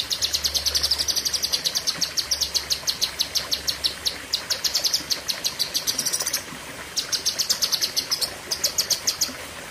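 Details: Cucak kinoi song in the 'tembakan' style: continuous high, fast chattering trills with rising and falling whistled strands, a brief pause near six and a half seconds, then more bursts.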